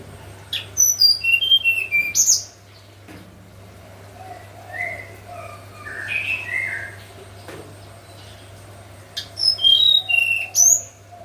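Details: Morning song of a hill blue flycatcher in the flute-like nyuling manner: bright stepwise descending whistled phrases opening and closing the clip, with quieter mid-pitched chirping notes in the middle and a steady background hum.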